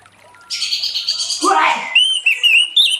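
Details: Orange-headed thrush in late-afternoon song, meant to lure other thrushes; a harsh broad rasping burst that drops in pitch, followed by clear high whistled notes in short repeated phrases.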